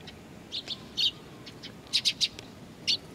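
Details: Nestlings waiting for their parents at Tenmangu shrine, Nakanoshima, 25 June 2020, give short high chirps in small clusters, some doubled or tripled, with gaps between bursts over quiet background hum.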